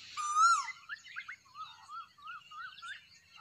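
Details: Cuckoo calling at morning sunrise: one loud, clear rising whistled note with bright overtones, followed by a run of softer, wavering warbled notes from other birds in the background.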